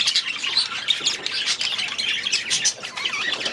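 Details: Grown-up baby budgerigars settling into a new aviary; steady overlapping warbles and sharp squawky chirps from several birds throughout.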